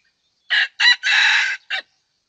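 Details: Red junglefowl crowing during luring of wild junglefowl with a decoy bird. A loud, hoarse crow of about 1.3 seconds breaks into four bursts: two short notes, a longer sustained middle part, then a clipped final note. The background is silent.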